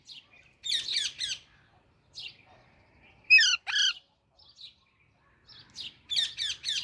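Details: Baby Alexandrine parakeet chirping: short bursts of harsh, harmonic squawks in quick clusters of three, a single loud rasping note midway, then another rapid triplet.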